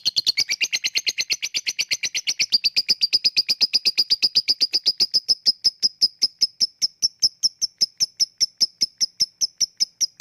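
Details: Lovebird chatter in the 'ngetik' and 'ngekek' manner, a lure for lazy birds: a long rapid run of sharp squeaky notes that gradually slows and thins into spaced, clicking chips.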